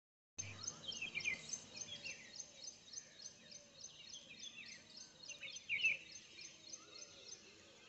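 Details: Jungle babblers (Argya striata) in India call in the morning, giving thin, high, rapidly repeated squeaky chatter with a few louder harsh notes, all fairly faint against a soft outdoor hiss.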